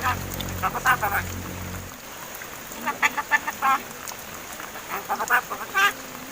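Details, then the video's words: Young pet mynas about seven months old that have begun talking; a low steady hum fades out early while clusters of raspy, clipped syllables come in irregular bursts, a loud squawk near the end. "MARTINEZ BIRD TALKING!"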